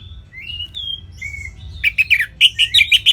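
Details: Orange-headed thrush, caged, northern Bali: drawn-out whistled notes at first, then a fast series of sharp, evenly spaced chirping notes roughly three per second.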